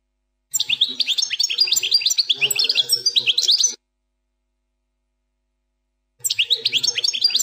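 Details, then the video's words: European goldfinch singing the plak mine song style, fourth section: rapid twittering phrases of sharp rising and falling notes and trills, a three-second burst, silence, then the song resumes. "04 chant plak mine ,canto del jilguros plak mine,غناء حسون بلاك مين بدون غلاطات"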